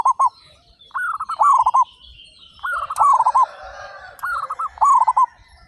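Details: Several local zebra doves among 35 singing vigorously with big voices: short stuttered coo phrases overlap and follow one another closely, loud and soft voices alternating, with two sharp clicks in the background.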